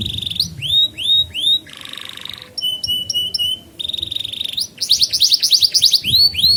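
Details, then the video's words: Canary song for training young canaries: repeated rising whistles, a coarse buzzy section, crisp clicking double notes, a rattling trill, then fast bursts of bright sweeping notes. "Kenari GACOR Masteran Burung Kenari PAUD Belajar Bunyi dan Pancingan Kenari Macet"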